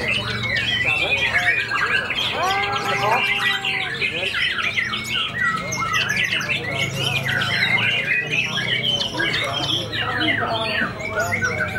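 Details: Caged white-rumped shama with a white tail, fresh from its moult, in full song at a contest it won. Fast tumbling whistled notes and harsh chatters pour out continuously over steady background chatter from people.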